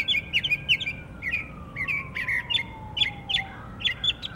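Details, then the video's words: A Northern mockingbird in Savannah, Georgia, in October sings rapid, varied chirps and buzzy phrases, several per second, with a faint falling whistle-like tone drifting underneath. "Northern mockingbird singing"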